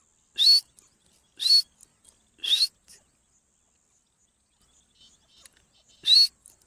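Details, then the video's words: A Dakhni teetar (partridge) gives harsh, rasping single notes with a short rising squeal, three about a second apart, then a pause and one more; otherwise quiet. "Dakhne Teetar ka Awaaz"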